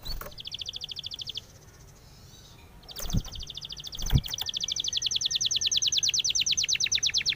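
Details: Spanish timbrado canary singing, used for training canaries: a short rapid trill, a pause with clicks, then a long steady trill of evenly repeated high notes.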